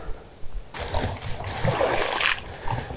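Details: Splashing and sloshing water with a faint voice in the background; no animal calls are heard.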